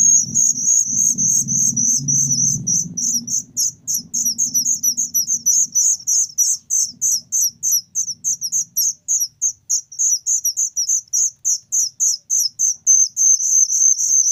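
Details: Loud whistling thrush chick chirping nonstop: piercing high notes, each flicking downward, about three per second, with a low rumble in the first seconds that then fades.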